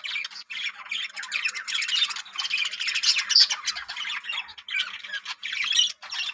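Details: Breeding colony of yellow budgerigars producing unbroken, raspy high-pitched chatter and squawking from many birds, with a faint steady low hum beneath.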